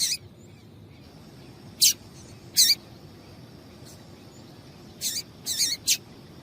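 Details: Female rusty-collared seedeater giving calls meant to warm up a male into song: crisp high chips, isolated at first, then a quick cluster of three or four near the end.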